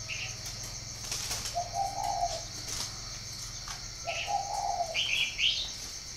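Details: Northern Vietnamese spotted dove at a Ba Vì breeding farm cooing twice, each a low burry phrase lasting about a second. Sharp higher chirps from small birds and a continuous high-pitched insect whine run behind it.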